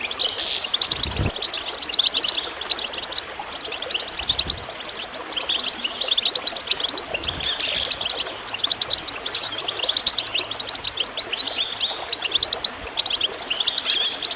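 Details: Goldfinch singing in long, busy twittering passages, about forty-eight bursts a minute, over continuous gurgling water; the recording aims to encourage birds to sing.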